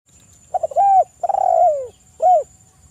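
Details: Wild spotted dove in lively song, used as a lure to provoke other doves into calling: a few quick stuttered notes, an arched mellow coo, then a long descending purring coo and one more short arched coo. A faint steady high whine persists.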